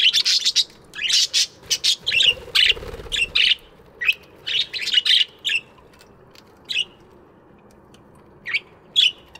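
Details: Morning aviary budgies chirping busily: a dense run of scratchy, buzzy chirps through the first five seconds, then sparser single chirps every second or so, with a faint background hum.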